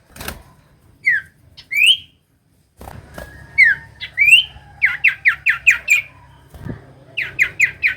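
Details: Common iora song meant to get reluctant birds singing: rising and falling whistled slurs, then fast rows of short repeated whistled notes, with a soft hum underneath.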